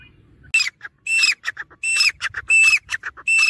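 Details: Grey francolin calling continuously: loud shrill notes with a rising whistled inflection, alternating with shorter clipped notes in a quick rhythmic pattern over a quiet low background hum.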